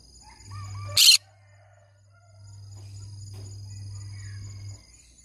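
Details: Faint rising whistles, then one sharp, raspy screech from a green-cheeked conure parrot, followed by quiet with a low background hum.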